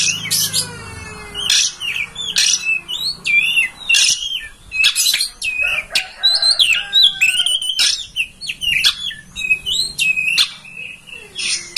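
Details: Oriental magpie-robin master song, meant to make a kept kacer spread its tail and sing (ngobra): rich varied whistles, quick slurred phrases and scratchy notes in a continuous run of short bursts, with snapping clicks between.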